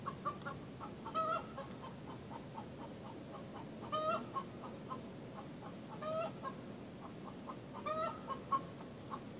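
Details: Egg song from a Rhode Island Red hen, sung when she or another hen in her flock lays an egg: steady rhythmic clucking punctuated every two seconds by a loud rising squawk, with quiet background noise.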